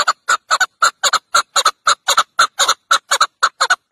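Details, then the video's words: Repeated chuk notes of a chukar partridge, many delivered as close doubled pairs in a rhythmic chuk-chuk pattern, about two pairs per second, loud and clear with little background noise. "Chowkor ki awaaz"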